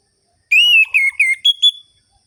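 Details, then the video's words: Clear, loud orange-headed thrush phrase in the sharp ngerol-ngeplong style, used as a lure for sluggish birds of its kind: a sustained whistle falling into quick slurred notes, then a higher steady whistle at the end. "ANIS MERAH GACOR ABIS untuk pancingan bunyi burung anis merah yang loyo"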